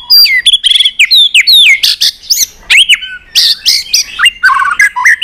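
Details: White-rumped shama in competition singing, flicking its tail, in a long song of many wild-style phrases: rapid, varied whistles sweeping up and down, with sharp clicks and slurred notes in quick succession.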